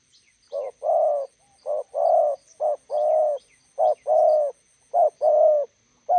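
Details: Spotted dove, a decoy bird meeting a wild bird by a roadside in Gia Lai, Vietnam, calls in regular short-long coo pairs about once a second, with soft high chirps of small birds and a faint steady whine.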